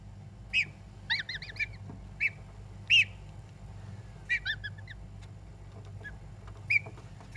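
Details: Three pet geese calling in short, clipped, harmonic notes, some single and some in quick runs of three or four, spaced irregularly over several seconds against a low steady hum.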